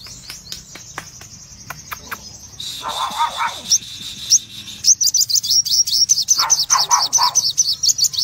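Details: Crimson sunbird, red-eyed cremino form, in full 'tembakan' song. A steady high thin tone and a buzzy band give way to rapid high chirps, mixed with lower warbled notes.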